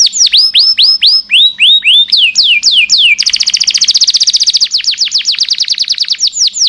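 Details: Canary long song for tutoring caged birds: loud clear whistled notes, each sweeping downward, repeated in quick series, then a very rapid even trill of short notes, then slower sweeping whistles again.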